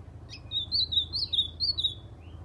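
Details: White-throated seedeater, a kept male type, giving ultramarine grosbeak-imitating song: a sharp opening chip, then a fast string of high, rippling whistled notes that rise and fall, ending with a soft upslurred note.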